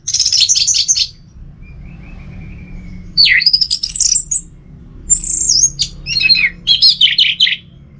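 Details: A captive orange-headed thrush (Geokichla citrina) kept at home in Singaraja, North Bali, sings rich, varied phrases of fast warbles, sweeping whistles and chattering notes in bursts, with a thin high whistle between them over a low hum.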